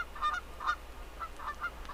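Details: Canada geese in a field behind a house on 1 April 2014 give short nasal honks, about five in two seconds, some doubled, over a low steady rumble. They are calling to other geese in the distance before taking off.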